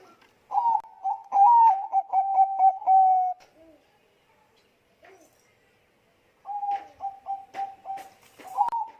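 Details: Zebra dove of the Bangkok type giving a lure song to trigger other doves: bursts of quick, staccato coos with small upward swoops, a quiet gap of about three seconds, then softer repeated notes ending in a rising phrase.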